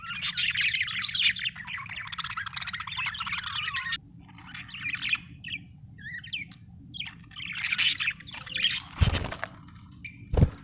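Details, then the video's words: Happy budgerigar, an Australian bird, chirping in a dense, fast warble of high twittering notes for about four seconds, then scattered short chirps and squeaks with pauses between, over a low steady hum. "happy budgie chirping sound"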